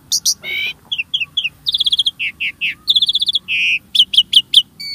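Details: Song of a starling meant to set caged birds singing: sharp high chips, a harsh buzzy note, paired whistles, rapid rattling pulses, then a string of quick falling whistled notes.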